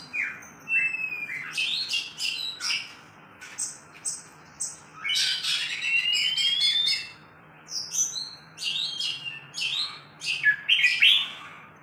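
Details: Oriental magpie-robin duel between two birds: bursts of loud, varied song mixing slurred whistles, rasping notes and rapid chattering runs, separated by brief pauses, over a faint steady hum.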